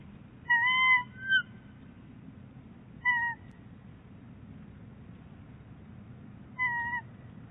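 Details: Two wild bald eagles at their nest at Big Bear Lake, 22 January 2018, with the male delivering fluffy nest lining. Short whistled calls, slightly falling, come in three separated bursts against a constant low hum.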